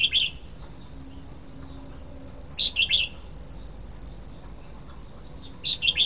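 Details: Red-whiskered bulbul (nok krong hua jook) delivers three brisk, bubbly phrases of clustered high chirps spaced roughly three seconds apart, against a faint steady high-pitched whine.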